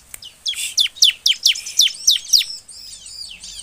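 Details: Bar-winged prinia singing in the emotional 'nembak' style, used as a lure to prompt other birds of its kind to sing: a rapid series of about eight sharp, high, down-slurred notes, roughly three per second, fading into faint twittering.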